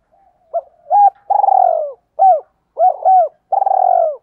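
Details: Spotted dove kept as a decoy bird, cooing to lure others: short arched coos, a long pulsed trembling coo falling in pitch, then further clipped arched notes, in a quiet setting.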